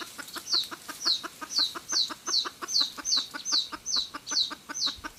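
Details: Hen red junglefowl giving a cackle used to lure birds into traps: evenly paced clucking, roughly two and a half notes per second, each note a high downward-sliding squeak over lower pulses.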